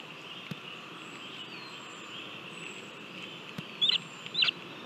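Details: A young lesser spotted eagle at a Latvian nest, 18 July 2022, eating a mole on its own, gives two short, high, yelping notes about half a second apart near the end, over insect hiss and a few knocks.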